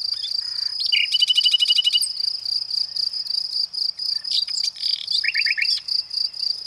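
A nightingale sings a burst of rapid repeated notes ending in a rising whistle, then a short series of quick rising notes, over a steady high cricket trill.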